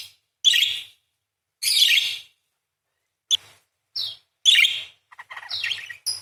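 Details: Actively singing parakeet, long 'nyerecet' chattering song used to train songbirds; broad, grating chirps repeat irregularly, some drawn out and some brief, ending in a tumbling run of warbled scratchy notes.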